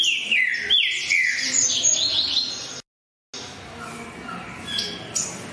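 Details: Green-winged saltator in eager song: a few clear descending whistles and higher warbled notes, broken by a brief silent cut, then quieter scattered notes.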